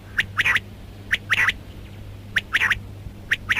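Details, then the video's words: Female rain quail calling: paired short, bright notes given in quick doublets, the pairs repeating roughly once a second, with a faint low hum underneath. "Female Rain Quail Calling Batair Ki Awaz"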